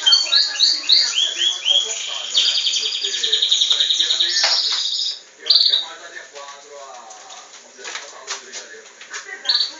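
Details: Belgian canary, a cage-bred bird, delivers a rich high song of fast repeated rising notes, a dense buzzy trill, then softer twittering phrases and a final short burst.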